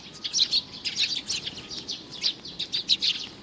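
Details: Young sparrow in June 2019, giving quick, high, scratchy chirps in clustered bursts, several notes per half second, with short pauses between groups.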